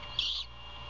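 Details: Great horned owls at a nest in a former Bald Eagle nest near Savannah, mother feeding her owlet early in the morning on 21 February 2022, caught by a nest camera: one brief hoarse, hissing screech against a steady electrical hum.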